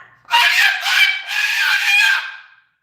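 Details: Pet Moluccan cockatoo indoors, yelling loudly while its owner tells it not to yell: one harsh, raspy, prolonged scream lasting over two seconds, wavering in loudness, with brief human speech before it.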